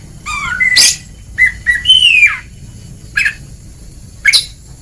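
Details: Oriental magpie-robin (kacer) ngeplong song used to train reluctant singers: a few clear whistled notes, one long descending slur, then two short harsh calls spaced a second apart, with quiet gaps.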